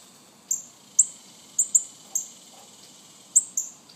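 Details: Young northern cardinals calling with sharp, high, descending chips, some single and some in quick pairs, over a low, even background.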